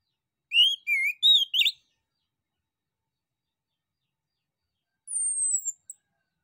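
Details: Male orange-headed thrush singing lively to elicit replies from other birds: a brief phrase of four wavering whistled notes, long silence, then a thin high whistle gliding slowly downward.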